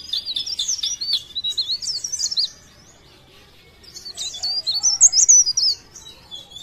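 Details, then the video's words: Leaf warbler from Pare Pare in lively song: two rapid bursts of high, thin, twisting warbles separated by a short quiet pause, the second phrase louder and sharper. "CIKRAK DAUN | PARE PARE | BLERENG GACOR❗"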